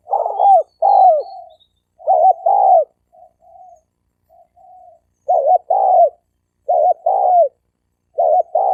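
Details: Spotted dove males in a fight challenge. Loud coo phrases are repeated, each a quavering double note then a falling longer coo. Softer short coos sound in the middle, with faint high chirps early on.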